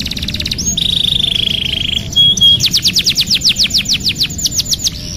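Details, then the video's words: Song of a canary offered as a lure for a bird that no longer sings: a brief rattle, a long steady flat trill, then a regular train of descending whistled notes. "TERAPI PANCINGAN KENARI MACET | CANARY SINGING"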